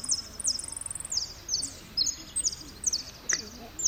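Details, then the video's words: Saffron finch repique song, third-placed entry in a Merlo contest, 03/01/2016: quick high chirps and rapid trills, then notes repeated at an uneven pace over faint background sound. "Blanco de repíque 3ro en Merlo"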